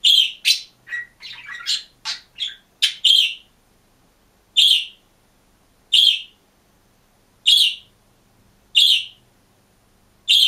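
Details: Lone caged green budgerigar sings and chirps: a rapid jumble of scratchy, warbling chirps at first, then settles into single bright chirps repeated roughly every one and a half seconds against a quiet indoor background.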